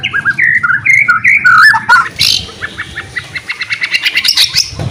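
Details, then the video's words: Animated white-rumped shama song, played so reluctant shamas join in: mellow looping whistles, then a quick series of dry ticking notes rising in pitch. "MURAI BATU GACOR ..TEPAT UNTUK PANCINGAN , MURAI BATU MACET KURANG GACOR,AGAR BUNYI LAGI"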